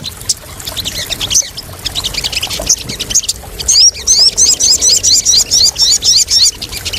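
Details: Crested jay lure and therapy for birds fresh from capture: a busy high chatter, then a loud, fast series of sharp, upward-sweeping notes repeated several times a second until the end.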